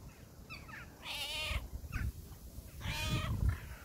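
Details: Crow uttering two drawn-out, hoarse caws about two seconds apart, with softer short calls between them and a low background rumble.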